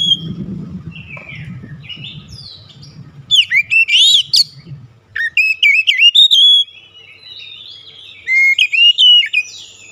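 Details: Oriental magpie-robin singing as a lure to provoke other birds: a soft opening, then loud bursts of sharp whistles, slurred upward notes and rapid chattering trills, with a low murmur fading out early.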